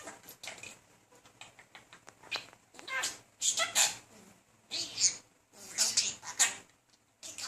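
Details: Talking budgerigar, a male persistently courting a female; a steady stream of soft scratchy chatter punctuated by sharp high squeaks and clicks, with short quiet gaps indoors.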